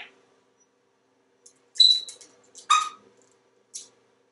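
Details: Pet African Grey Parrot indoors at home in Texas, giving scattered short sounds: a brief high whistle, a few sharp chirps and a final squeak, spaced by quiet gaps.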